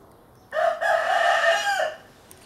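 A rooster gives one loud, hoarse crow of about a second and a half, with a short break after the first note before a long drawn-out ending.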